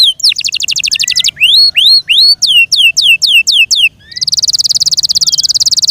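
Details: Song of a Yorkshire canary kept in care: a quick high trill, then a string of loud, clear down-curving whistled notes, followed by a long, even, very rapid buzzing trill.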